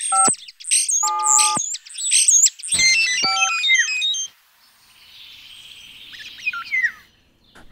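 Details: Common starling in Gascogne, France, mimicking phone ringtones: loud, sharp whistled phrases and clicks with electronic, ringtone-like tones, then softer chattering warbles.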